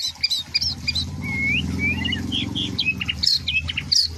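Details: White-rumped shama giving short whistled slurs and scattered high chirps, with a steady low hum underneath.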